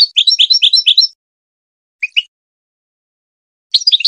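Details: Goldfinch singing as a tutor for hybrid chicks: a quick series of high, liquid twittering notes, silence, a double chirp, then another burst of twitters.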